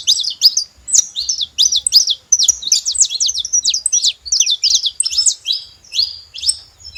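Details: Saffron finch making noise: irregular bursts of sharp, high chirps and down-slurred tweets, grouped in short clusters across seven seconds against a quiet background.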